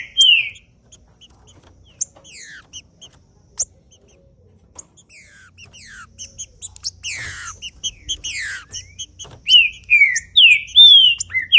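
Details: Green-winged saltator song meant to stimulate males into singing: sparse ticks and thin falling notes at first, then a dense clicking flurry and closing series of loud, slurred whistled phrases.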